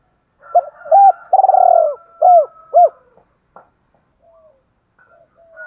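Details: A trained spotted dove coos to provoke wild doves to respond: a few hooted notes, a rolled purring coo, then two more arched hoots, over a faint steady thin tone, followed by quiet.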